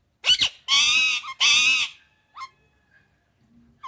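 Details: Indian ringneck parakeet: two or three loud, raspy screeches in quick succession, then brief soft chirps with quiet gaps between.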